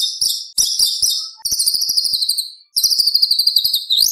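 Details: White-rumped shama in a lively competition-style song with sharp 'tembakan' shots: dense, high twittering bursts, then long, thin, trembling whistles that end in an upward flick.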